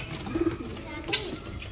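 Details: Female pigeon that has just laid an egg, giving a brief low coo of a few quick pulsed notes early on, followed by faint high chirps from other small birds and some soft background noise.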